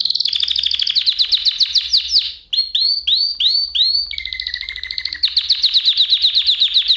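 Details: A canary song lesson meant for teaching canaries, played as a model and not a nightingale: loud rolling trills of rapid high notes, then a slower set of swooping whistles, a steady tone, and more fast trills.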